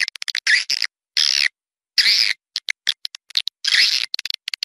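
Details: Swiftlets in an outdoor recording made in Malaysia, used to lure birds to nest in a swiftlet house: bursts of buzzy, rasping twitters, each about a third of a second, separated by quick dry clicking chirps, with gaps of silence.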